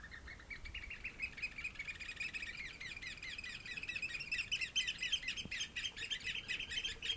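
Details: Three noisy oystercatchers foraging in seaweed at low tide on an early March day in 2016; rapid, dense piping calls repeated about four times a second, overlapping and rising in intensity toward the end.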